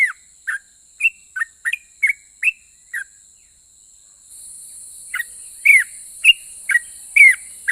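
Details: Singing yellow-vented bulbul, 'ropel' style, said to make other bulbuls call back: spaced bright whistled notes, a brief gap near the middle, then louder downslurred phrases as a harsher high hiss sets in.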